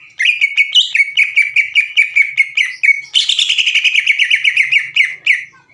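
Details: Greater green leafbird lure recording of sewing-machine-like 'ngekek' song: a steady run of clipped chirps at even pitch for three seconds, followed by a louder, denser rattle and two final notes.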